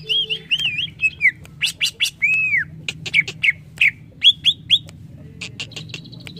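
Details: Greater green leafbird song, offered as a training recording for young birds: varied clear whistles, looping warbled phrases and sharp downslurred notes, with rapid buzzy bursts and short pauses between phrases.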